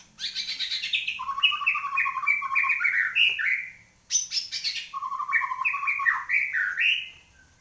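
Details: Post-moult white-rumped shama in full song, delivering two long phrases of rapid, stair-stepped whistles that rise and fall, each opening with a high fluttering note and separated by a brief pause.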